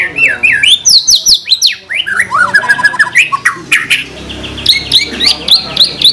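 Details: White-rumped shama on a tutor recording for cage birds, pouring out fast zigzag phrases of rising and falling whistles, followed by a quieter stretch and then high repeated slurred notes.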